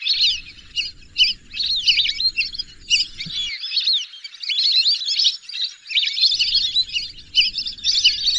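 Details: Lesser whistling duck flock producing busy, high-pitched whistling chatter, notes tumbling over one another without a break, over intermittent low-pitched background noise.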